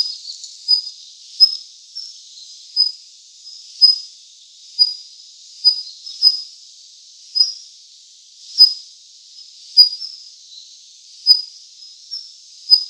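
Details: Daurian Redstart calling: short, thin, high-pitched notes repeated steadily about once every second, some slightly louder than others, over a continuous high, hissing background drone.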